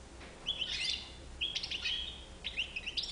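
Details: White-bibbed European goldfinch singing three bursts of bright twittering, each opening with a whistled note and breaking into rapid liquid trills, spaced about a second apart, with a low steady hum beneath.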